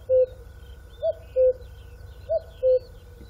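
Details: Clear, hollow cuckoo notes, each pair stepping down in pitch, heard three times in quick succession above a soft background hum.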